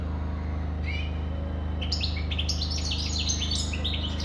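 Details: European goldfinch giving a single rising chirp, then after a short pause breaking into a quick, jangling stream of high twittering notes, with a steady low hum throughout.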